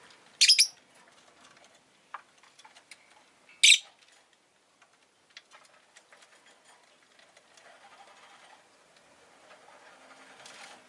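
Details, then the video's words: Rosy-faced lovebird chirping: two loud, harsh, shrill screeches about three seconds apart, with faint scattered clicks and soft background noise between them. "Lovebird Chirping Sounds"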